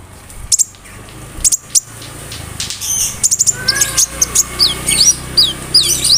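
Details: A konin bird mimics cricket, brem, kamade and rambatan, with the song used to train other songbirds; sparse sharp high clicks at first, then a busier stretch of looping whistles and chirps toward the end, over a steady hum.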